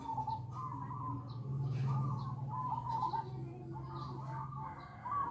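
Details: Zebra dove lure call, Bangkok perkutut style, meant to draw doves in; short trilled coo phrases repeat about four times per second amid a strong low hum.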